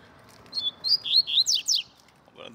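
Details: Double-collared seedeater singing, one of two caged birds held in hand alongside a free wild bird. A brief phrase of bright whistled notes ends in two fast descending sweeps, followed by a faint voice.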